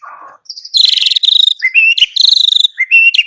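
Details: White-rumped shama singing: a low buzzy note, then a high thin whistle, followed by loud rapid rattling trills alternating with short rising whistled phrases and sharp upward flicks.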